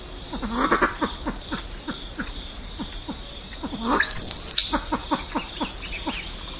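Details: Flock call of a silver pheasant: rapid, repeated low clucking notes, with a single sharp, rising high whistle from another bird midway and light background hiss.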